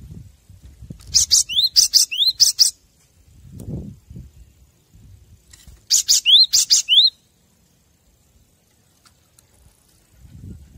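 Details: Cinereous tit song used as a master recording to train caged birds: two bursts of crisp high chips interleaved with short upslurred whistles, separated by several seconds of quiet and low background rumble.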